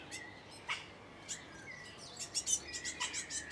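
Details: A great tit fledgling in Cambridge, UK, on 28 May 2019 at about 1:22 pm begs for food with short, hissy high chirps in quick, uneven bursts, over a thin steady whistle and soft outdoor hiss.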